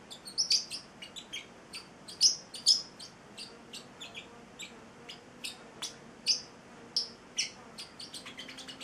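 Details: Eight-week-old male Celestial parrotlet singing at home: lively stream of sharp, high, squeaky chirps and twittery notes, irregularly spaced, a few much louder, with quiet room hum behind.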